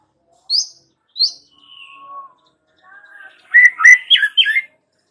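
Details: White-rumped shama song played to stir young forest-caught birds into singing: two high sharp notes, a long thin whistle, then a jumbled burst of loud chattering notes.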